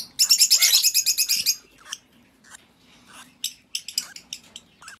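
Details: Young Fischer's lovebird chicks in Glindow, Werder (Havel), Germany, give a rapid burst of harsh, high chattering chirps, about a dozen in just over a second, then sparser shrill squeaks.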